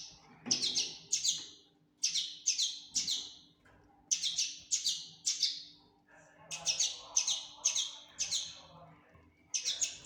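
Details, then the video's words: Fledgling common linnet chirping in groups of two to four sharp high notes, with short silences between groups, steady and persistent throughout. "فرخ حسون تفاحي Linotte melodieuse"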